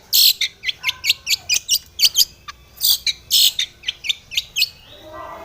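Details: Long-tailed shrike singing vigorously and aggressively toward a rival. Loud harsh notes and sharp chips follow in rapid succession, several per second, mixed with rasping bursts, ending in a soft low warble.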